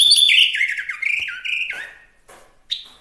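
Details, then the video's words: Chinese hwamei giving a rich whistled song, used as a master recording for songbirds: a rapid run of warbled notes stepping downward, fading into quieter rustling, then one sharp note at the end. "Suara Asli Wambi Mini/Hwamei Gacor"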